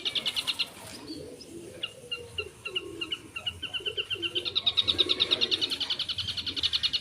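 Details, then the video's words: Long-tailed shrike singing lively filler phrases: a short rattle, then spaced clear high ticking notes, building into a quick, steady rattle of repeated notes, over soft low background noise. "Suara Burung Cendet Gacor full Isian"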